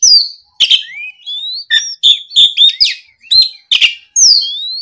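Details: Energetic gacor ngeplong song of an Oriental magpie-robin, meant to goad a rival bird into answering. Clear upslurred whistles and clipped chirps come in quick bursts, a brief gap after each phrase.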